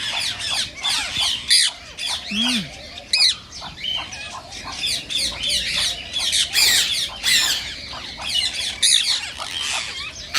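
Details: Rose-ringed parakeets calling to stimulate singing and mating: a dense, continuous chorus of overlapping shrill squawks and chatters, with a brief lower squeak in the middle.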